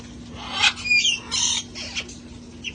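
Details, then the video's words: Parrots from a sanctuary flock playing outside before the cold set in; quick bursts of harsh, buzzy squawks and thin whistles tumble over one another against a low background hum. "Just relaxing sights & sounds of parrots having fun outside enjoying life"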